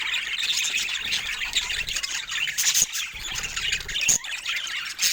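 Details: Rare budgerigars chattering: a dense, continuous high warbling of squawks and chirps from several birds at once, with a few sharp clicks.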